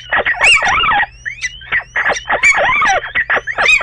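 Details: Two little owls in a bedroom nest box on 29 March 2013; loud harsh wavering squeals and mewing cries overlap in quick bursts, with thin rising whistles between, over a low steady hum.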